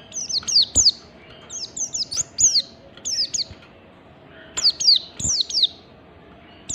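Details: Oriental white-eye's standard ngalas song for provoking other white-eyes to sing: rapid runs of three or four high, sharp descending chirps, repeated in bursts roughly every second, with a faint background hum.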